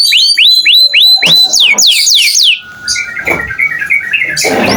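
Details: Lively canary song, offered as a tutor recording for other songbirds: a series of rising whistled notes repeated about four times a second, then sweeping slurs and softer trilled chirps.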